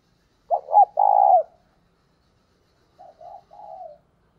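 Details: A decoy spotted dove coos to lure wild doves. It gives one loud, husky three-part coo, then softer, lower coos after a pause of about one and a half seconds. Otherwise quiet.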